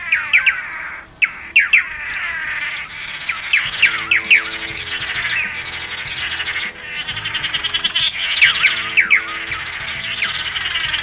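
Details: Tangará or Blue Manakin of Brazil's Atlantic Forest. It gives clustered, curving whistles and chirps in irregular groups, with sharp clicks between them, over continuous background music.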